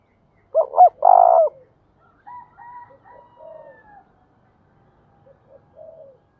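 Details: Spotted dove, a long-voiced bird, cooing in the thúc bổi and gáy gọi styles: a loud three-part coo of two short notes and a held hoot, followed by softer distant coos echoing faintly.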